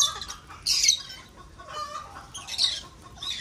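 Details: Lovebirds breeding in an aviary give harsh, shrill screeching bursts, three loud ones spread over a few seconds, with softer chattering and faint lower tones between them.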